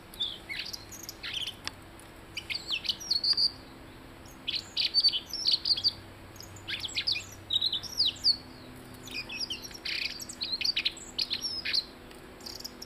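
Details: Blue-headed rock thrush singing almost continuously, with rapid high chirps, twittering notes and sharp downslurred whistles strung into varied phrases with short pauses, over a low steady hum.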